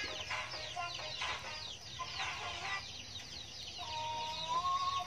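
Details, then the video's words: A captive talking hill myna gives rapid, harsh, clucking syllables in quick bursts, then a long whistled tone rising slightly at the end, imitating human speech. "Talking Mynah bird"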